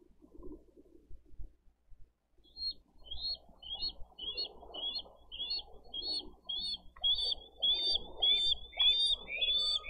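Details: Bald eagles at a Dade County nest cam on 22 April 2023, parents bringing fish and feeding eaglets. Two quiet seconds, then a steady run of thin, high chirping notes repeated quickly, growing louder and denser, over a low rumble.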